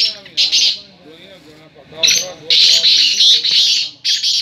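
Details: Harsh, rasping call of a black francolin: two short bursts, a pause, then a long stretch of loud, scratchy notes and a final burst, over faint low background sound.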